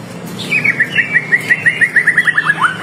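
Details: White-rumped shama singing vigorously as a lure to draw replies from other shamas: a quick run of about fifteen clear, down-slurred whistled notes that speeds up toward the end, over a faint low hum.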